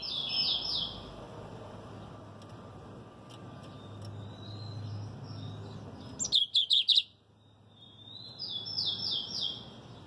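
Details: Lined Seedeater song: high, descending slurred notes in short runs, a pause with a thin whistle, then a burst of four sharp, loud chipping notes, followed by more falling slurred phrases over a low steady hum.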